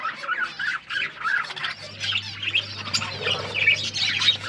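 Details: Australian parrots, pet budgies, eating: rolling warbled chatter and squeaky chirps from more than one bird, with brief pauses and a low mechanical hum underneath.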